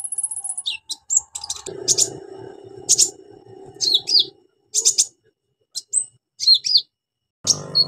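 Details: Energetic orange-headed thrush singing with mimicry fills, meant to draw silent birds into song: scattered sharp chirps, quick down-slurred whistles and clipped twittering notes broken by short silences.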